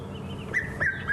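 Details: Red-chested Cuckoo heard on an October 20 sunset safari drive, giving three clear whistled notes, each a little lower than the last, about a quarter second apart, over a low vehicle engine rumble.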